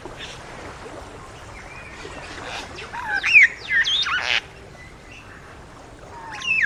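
Satin Bowerbird giving a jumble of harsh squawks, slurred whistles and mechanical buzzing notes in a quick, irregular burst, with faint background hiss.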